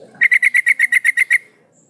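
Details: Female yellow-vented bulbul calling to a male, used as a lure to make males sing: eleven rapid, rasping chatter notes in one steady burst, then quiet.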